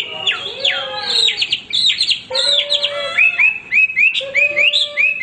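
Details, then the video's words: Male hwamei in continuous song for training other birds: descending slurred whistles, then a series of short upward-flicked whistles repeated rhythmically, with a lower steady tone beneath. "wambi gacor berkicau tanpa henti cocok buat masteran"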